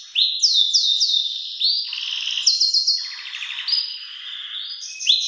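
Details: Belgian canary singing strongly, recorded to train young birds: fast repeated rising whistles, then alternating harsh buzzy rolls and clear level piping notes that flow without pause.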